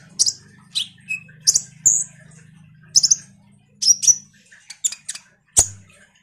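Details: Lure recording of a vigorously singing common iora meant to provoke sunbirds: isolated high chips and short piercing whistles spaced about half a second apart, with a low steady hum under the first part.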